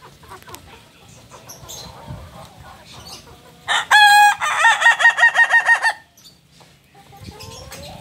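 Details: Red-plumaged Kokok Balenggek rooster, a singing chicken breed native to Solok, West Sumatra, crowing: a loud two-second crow broken into rapid stepped pulses, amid background chatter and noise.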